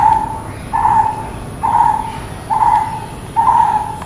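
A brown-headed barbet repeats a low, throaty, rolling note about once a second, five times in a steady series over a soft background hiss.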